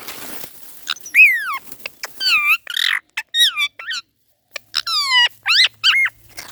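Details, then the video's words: A parrot "laughs" with a string of harsh, laugh-like bursts like "haa haa ha", each a falling then rising harmonic note, in short groups with brief pauses between them. "parrot Laughing haa haa ha"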